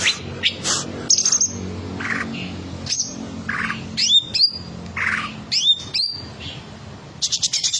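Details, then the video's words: Caged olive-winged bulbul singing a varied song of sharp whistled notes, quick slurred chirps and brief harsh squawks, with short pauses between phrases and a buzzy rattle at the end. "cucak ijo bongkar materi mewah"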